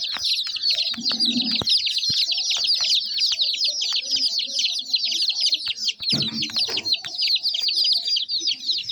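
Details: Baby chicks produce an unbroken stream of high, rapid chirps, dozens overlapping, with faint clicks and two short low rumbling noises.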